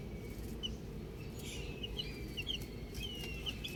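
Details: Baby chicks outside utter a handful of clear, high, downward-slurred peeps spaced unevenly, some doubled, against a faint steady background noise.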